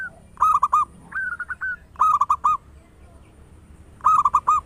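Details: Loud local zebra dove, played as a lure to stimulate other doves to sing quickly, giving three clear phrases of rapid, rolling, whistled coo notes separated by short pauses, with a quieter echoing phrase between the first two.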